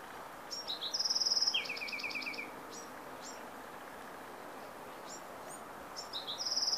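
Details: Bewick's wren in Carmel Valley, San Diego, 15 April 2019, sings a high buzzy trill, then a quick run of falling notes and scattered sharp chips, the buzzy phrase returning at the end over steady hiss.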